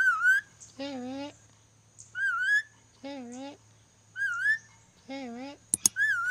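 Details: Ornate lorikeet from Sulawesi, learning to whistle, gives a wavering high whistle followed by a lower, rich harmonic whistle, the pair repeated four times over six seconds, with brief clicks near the end and a steady low hum.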